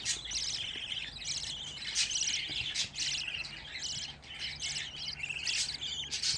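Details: Fifteen budgerigar babies gathered in one place keep up a steady stream of thin, buzzy chirps and rattling trills in quick succession.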